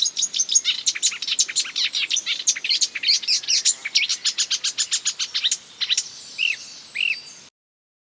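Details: Marsh warbler imitating other birds with an even stream of rapid sharp chips and buzzes, ending with two separate upslurred whistles before silence.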